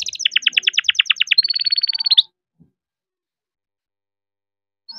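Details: Young captive-bred canary singing to encourage silent canaries: roughly two seconds of rapid pulsed trilling ending in a high steady buzzy note, followed by silence.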